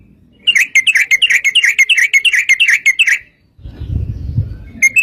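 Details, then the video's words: Sooty-headed bulbul song used to lure other bulbuls into singing: a rapid run of bubbly chirps repeated about three per second for three seconds, then low rumbling noise and a final chirp. "trucukan gacor TARUNG ROPEL PANJANG pancingan trucukan agar bunyi jadikan burung trucuk gacor NYAUT"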